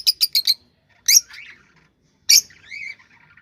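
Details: Cockatiel mating call used to stimulate breeding: four quick high chirps in a row, then two louder chirps, each trailing into a softer wavering whistle.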